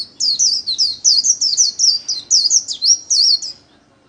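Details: Kept white-eye giving a 'líu' solo, a song style used to train other birds. A bright, fast stream of high twisting whistled notes lasts about three and a half seconds, then the bird falls silent.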